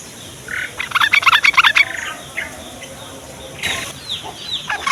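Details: Yellow-vented bulbul morning song for luring young bulbuls: a short, quick bubbling phrase of chirpy, warbled notes, with a harsh burst and faint chirps afterward.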